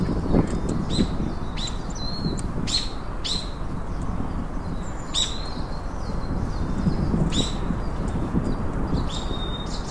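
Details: Singing chopi blackbird giving loud sharp chirps and short whistles in repeated bursts roughly every second, with strong continuous low rumble and some louder noise early on.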